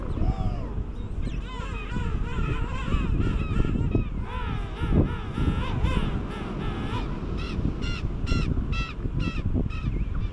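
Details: King penguins during courtship and mating on South Georgia in January 2019: several loud, wavering, harmonic trumpeting calls overlap and repeat through the recording, set against strong, constant low wind rumble.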